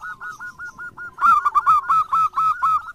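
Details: Local zebra dove singing actively: a run of quick, evenly spaced cooing notes, then from about a second in a louder, rich, slightly rising series of stuttering coos repeated several times per second.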